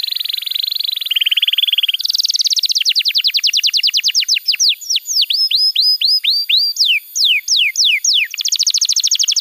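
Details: Canary singing as a tutor for young birds: two flat trills at different pitches, then a long rhythmic run of quick notes becoming clear falling whistles, ending in a rapid trill.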